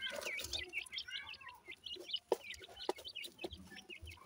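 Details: Grey francolin chicks, bred in Punjab, utter clear, thin whistled peeps with short upward and downward slurs, in quick irregular runs, punctuated by a few hard taps and clicks.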